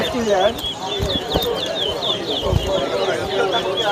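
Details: Competing towa towa birds at Lusignan, Guyana, 2023, give repeated clear whistled slurs and short trilled notes over a noisy crowd, with low thumps and people talking throughout.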